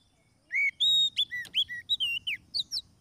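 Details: Oriental magpie-robin lure phrase for catching wild birds: one rapid run of pure whistled notes, some held, others rising and falling, over faint low background hum.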